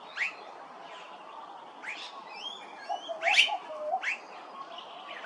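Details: At Hervey Bay, Queensland, an immature Blue-faced Honeyeater utters piercing upward-slurred notes spaced about a second apart, with thin twittering whistles from other birds and low cooing underneath.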